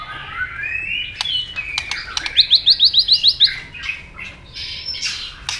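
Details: White-rumped shama fighting song to provoke a rival: a rising whistle, clicks, then a rapid trill of about eight high repeated notes, followed by softer varied chatter.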